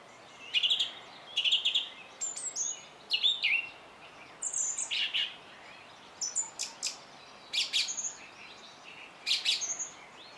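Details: A song thrush sings loud, varied phrases of clear whistles and sharp chips, some phrases repeated twice in a row, with short pauses between bursts.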